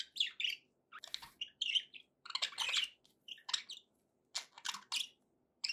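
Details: Pet budgerigars in happy mood, chattering with bursts of scratchy, buzzy chirps and warbles separated by short pauses, no other sounds.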